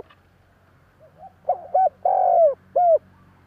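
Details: Spotted Dove cooing as a lure for wild doves to answer: soft low notes build into a stuttered note, a short coo, one long throaty coo and a falling final note.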